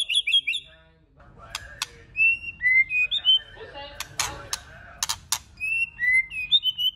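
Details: White-rumped shama song meant to stimulate other shamas: varied short whistled slurs and trills, some rising and some falling, broken by sharp clicks and snapping sounds, with a low murmur in the background.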